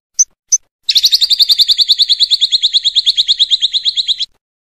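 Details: Two sharp chips, then a caged lovebird's long ngekek: a fast, dense, scratchy trill of evenly repeated notes running for over three seconds, recorded as masteran for training other songbirds.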